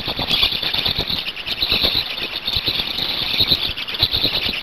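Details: Feeding time at a Hungarian black stork nest, 5 May 2019, afternoon at 17:02: an unbroken run of high, rasping squeals with quick pulsing, mixed with soft knocks and scraping.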